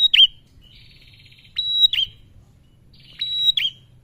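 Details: Calling male bar-winged prinia, played as a lure to set other birds singing: a sharp high whistle-and-snap phrase, then a soft buzzy rattling trill, followed by two more piercing whistle-and-snap phrases.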